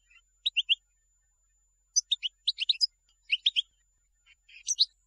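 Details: Goldfinch twittering, from a collection for tutoring young birds: clusters of short, sharp high notes in groups of three to five, loosely spaced, with soft faint notes between.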